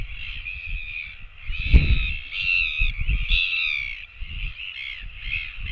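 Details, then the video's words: Royal albatross chicks begging for food, filmed on a nest webcam on 17 September 2024: harsh, nasal, harmonic calls run almost continuously in overlapping bursts over a low rumbling, wind-like background. "Royal Albatross Cam - LGK回來了，其他小信也來湊熱鬧 LGK is back and other chicks come begging for food"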